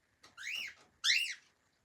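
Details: Cockatiel, a friendly pet bird in Berlin, enjoying a quiet moment: two loud whistled calls, each arching up then down, about half a second apart, the second sharper and more rasping.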